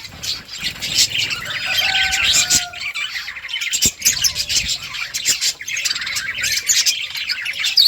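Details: Flock of budgerigars in a colony, overlapping chirps and warbles with a few longer whistled notes and sharp tapping clicks.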